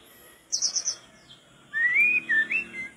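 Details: Mangrove blue flycatcher singing hard, a tutor recording for training flycatchers: a high, rapid, buzzy trill of about four pulses, then a pause and a sweet whistled phrase that rises, dips and rises again.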